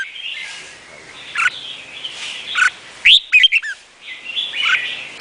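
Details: Red-whiskered bulbul of the Vietnamese type singing: loud, clear whistled phrases with quick rising and falling notes near 3 seconds and at the end, over a steady background of softer chattering birdsong.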